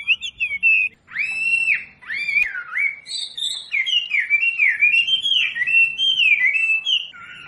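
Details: Training recording of a wambi for caged birds: clear arched whistles with a faint click, then a steady flowing warble of rising and falling notes that fades toward the end.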